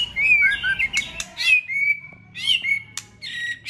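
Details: Many-voiced fighting song of a White-rumped shama: varied whistled phrases with quick slurs and sharp clicks, coming in bursts with short gaps.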